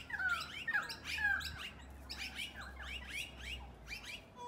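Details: Noisy miners meeting at dusk, a group trading rapid harsh chirps and descending squawky notes, about two per second, with a low steady hum underneath during the first half.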